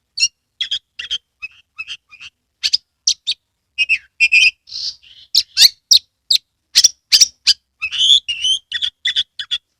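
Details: Oriental magpie-robin kept in Kebumen, Central Java, singing vigorously while opening its tail. A dense, fast string of varied whistles, chips and harsh scratchy notes, growing louder and more crowded toward the middle.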